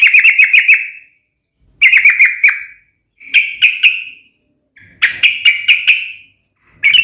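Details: Sharp fighting song of a yellow-vented bulbul, played to make other bulbuls answer at once: short bursts of four to six fast, bright chirps, each burst ending in a fading trill, with brief silences between.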